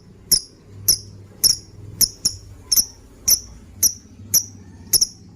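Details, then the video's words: Lovebird call for training other birds, the ngekekekeke sound: ten sharp, very high chirps repeated roughly twice a second, shrill and clipped, over a noisier low background hum. "Pancingan burung love bird # masteran burung, ngekekekeke"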